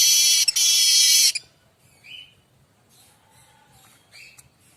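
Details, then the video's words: Streaked weaver song used for tutoring magpie robins and other songbirds. A loud sizzling buzz lasting just over a second, then quiet, with a short rising whistle and scattered faint chips. "Kicau manyar variasi mantab"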